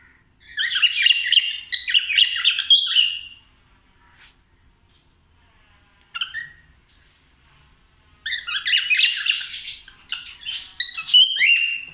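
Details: Cockatiel exploring a house indoors, singing in two bursts of fast, chattering, warbled notes with squeaky whistled phrases, separated by a few seconds of near silence; a sharp rising whistle near the end.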